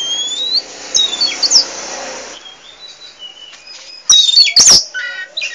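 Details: Chatty pied 'poci' Oriental magpie-robin giving a few thin whistles and chips, a quieter stretch, then a loud burst of sharp clicks and quick high whistled notes.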